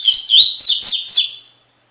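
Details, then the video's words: Double-collared seedeater in the Tui Tui Fibra song style, recorded for training captive birds: a quick sequence of clear whistled notes and high slurred chirps lasting about a second and a half, then silence. "Encarte para Coleiro e Baiano - Canto Tui Tui Fibra"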